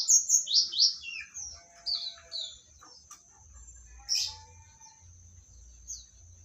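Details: Magpie-robin, Medan type, opens with a quick run of loud, descending whistles that fades into sparse, softer notes. A later isolated rasping note follows over a steady high whine and low hum.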